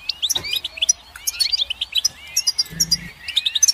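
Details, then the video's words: Goldfinch song of lively tinkling twitters and rising slurred whistles in quick succession, with a short low hum partway through. "Goldfinch Song"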